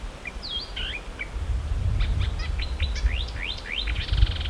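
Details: Marsh warbler, known as the Polish lyrebird, singing and imitating other birds: a quick jumble of bright chirps, then a fast run of sharp downslurred notes about five a second, ending in a buzzy rasp over low background rumble.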